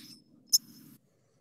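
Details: In winter in Missouri, a White-crowned Sparrow gives one sharp, very high call note, higher pitched than the White-throated Sparrow's tink, over a faint low murmur and a thin high hiss.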